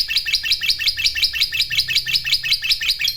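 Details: Gacor lovebird kept as a songbird giving ngekek chatter: evenly spaced, scratchy high chirps repeated about three times a second, each a short downward-buzzing note, steady and unbroken throughout.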